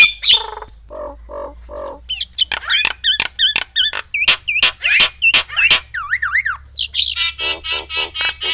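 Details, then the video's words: Nias hill myna giving a varied series of loud calls: low nasal notes, then rapid squawky and whistled bursts, rising and falling siren-like wavering notes near the middle, ending in quick harsh repeated notes. "JALAK NIAS NEMBAK SIRINE"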